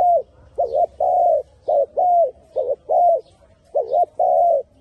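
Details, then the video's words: Spotted dove song: deep, mellow coos in a quick pattern, long arched notes and short notched doubled notes alternating, in a quiet setting. "Very Good Dove Singing"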